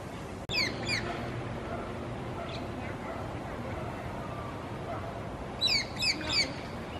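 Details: A wild coconut lorikeet in Singapore, where the species is introduced and now breeds locally, gives shrill, screechy calls, a pair near the start and a burst of three at the end, over a steady background hum.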